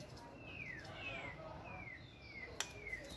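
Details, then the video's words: White-rumped shama in a flight cage during stamina training, giving about five clear whistles in a row, each sliding downward, spaced roughly half a second apart over a soft background hiss. "Giọng chòe lửa hót rực rỡ đầy năng lượng"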